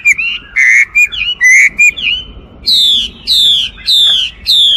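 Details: Chinese hwamei giving short whistled notes and slurs, then four long, loud descending whistles in a steady series.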